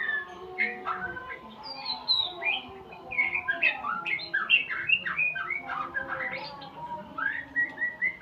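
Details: White-rumped shama practising learned sounds during a full tutoring session: continuous rapid chattering and whistled phrases, varied in pitch, growing busier midway, over a constant low hum.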